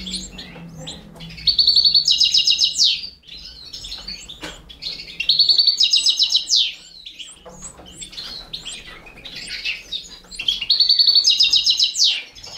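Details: Four baby canaries fed by a Balkan goldfinch; quiet chirps build three times into loud, fast buzzy trills lasting about a second and a half each, with clicks between.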